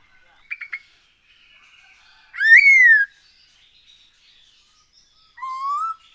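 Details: Black-throated laughingthrush used as a lure to make birds sing: a quick trio of short notes, then a loud rising-falling whistle, and after a pause a softer rising whistled phrase.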